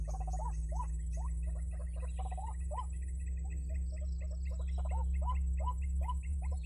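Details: Lure recording of white-breasted waterhen used in trapping, a run of quick upward-sweeping notes in bursts with fainter chatter between them, all over a constant deep hum and a thin high tone.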